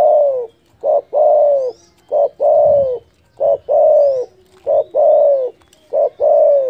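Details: Spotted dove delivering a loud call meant to anger rivals: four regular phrases, each a clipped opening note then a long, rich coo sliding downward, evenly spaced with brief pauses, faint high bird chirps behind.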